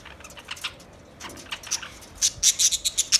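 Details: Budgerigars giving soft scattered clicks, then a run of sharp, high, evenly spaced chirps at the close.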